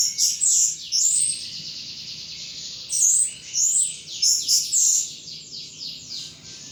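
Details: Thrush kept as a cage bird, singing hard in ngeplong style: very high, thin, rapid whistles and twitters in dense bursts, separated by short gaps.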